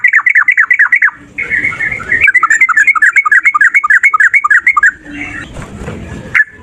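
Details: Male yellow-vented bulbul in a long fighting bout, played to prompt other birds: rapid bubbly phrases, a brief break, then a sustained run of rolling two-note chirps over light background noise.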